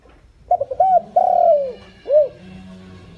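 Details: Captive spotted dove used as a lure bird, calling to draw in wild doves: two short clipped notes, a long drawn coo sliding downward, then a short arched final coo. A steady low hum runs underneath.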